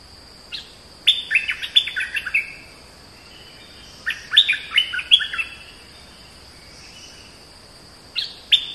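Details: Oriental magpie-robin song in three bursts of quick sweet whistles and chirps, the first two about three seconds apart with pauses of silence between them, over a constant high background hiss.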